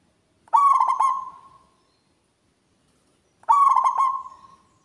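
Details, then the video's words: Local zebra dove singing vigorously with a big, ringing voice said to carry far: two identical phrases about three seconds apart, each a burst of rapid clipped coos sliding into a drawn-out, fading low note, in otherwise quiet surroundings. "PERKUTUT LOKAL GACOR, SUARA BESAR NYARING SAMPAI KEMANA2"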